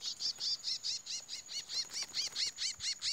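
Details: Chestnut-bellied seed finch, a male in its first fight after moult, repeating a high arched chirp over and over, about two notes per second, steady and even.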